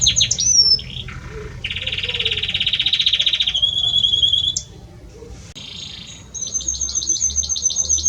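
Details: A male Belgian canary sings intensely to the female, mixing high whistled slurs, a long loud buzzy roll, a steady higher trill and a closing series of rapid repeated chips.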